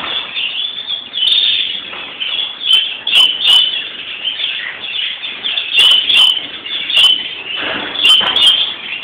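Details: Greenfinch (Chloris chloris) song recorded at Palm Sunday: an unbroken run of rapid twitters and trills, bright repeated chirps rising above the steady chatter, several sharp clicking accents near the end.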